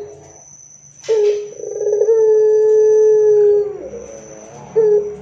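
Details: Barbary dove singing loudly to lure other doves into calling back: after a brief sharp noise it gives a rolling coo that stretches into a long, even, low tone lasting about two seconds. Another coo begins at the end over a constant high whine.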